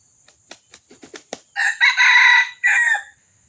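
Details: Red junglefowl crow from Johor, used as a lure for wild birds: a run of short clucking notes, then a loud, harsh crow in two broken parts, the second after a brief gap, over a quiet background.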